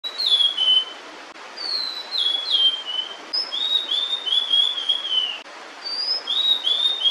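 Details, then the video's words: Female blue-and-white flycatcher singing with food held in her bill while her chicks wait in a nearby nest. Clear whistled phrases slide downward and end in drawn-out notes, in four bursts over about seven seconds, with short pauses between them. "餌を咥えたまま鳴くオオルリ (雌) / Blue-and-White Flycatcher(female) singing while holding food"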